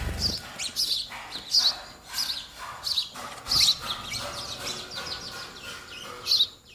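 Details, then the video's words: Nestling sparrows awaiting feeding by their mother and father, with softer high-pitched chirps in an irregular run and a few louder peaks. "Baby sparrow birds waiting for mother & father to feed"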